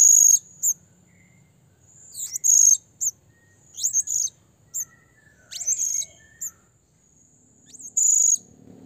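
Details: Calling to a rival, a blue-crowned hanging parrot gives a busy run of thin, high-pitched squeaks and short shrill bursts, some swooping down in pitch, closely packed over nine seconds.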